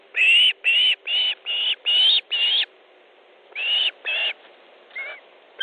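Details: Osprey at its nest in Estonia on 3 August 2014 at 15:30, during a fish delivery as a second bird arrives. Loud, shrill whistled chirps: six in quick succession, a pause, then two more and a softer, lower note.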